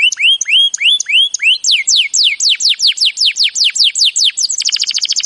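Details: Canary training song: looping rising whistles, then a long series of sharp descending sweeps repeated evenly, finishing in a fast high-pitched trill.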